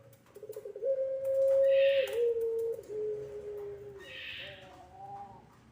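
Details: Puter pelung dove coo meant to lure and train young birds: a stuttering start leading into a long level hoot, then a lower drawn tone, with two brief rough bursts.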